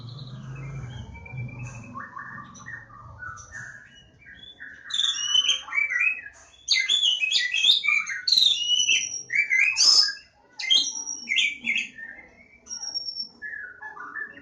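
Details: Javan Oriental magpie-robin (kacer Jawa) song: soft, low murmured notes with a faint hum at the start, building into loud, rapid bursts of varied whistles, trills and scratchy chatter, then easing into sparse high whistles.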